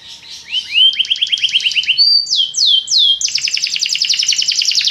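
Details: Belgian canary song in a popular style meant to stir other canaries: sliding whistled notes repeated in quick series, a few downward-sweeping notes, then a fast bright trill.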